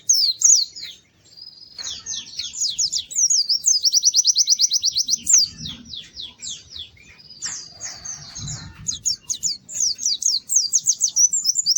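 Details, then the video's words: Kept white-eye singing: long runs of very high, fast repeated chattering notes and thin trills, broken by short pauses and slurred downward sweeps, over soft low background rumble. "Kicau Burung PLECI GACOR MERDU"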